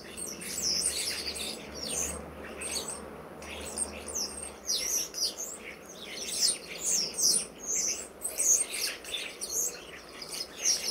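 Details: Common starlings, a flock of over 60 visiting a garden in autumn, October 2012; dense high chattering with squeaky, whistled and clicking notes in overlapping bursts, loudest around two to three seconds and again from six to nine seconds.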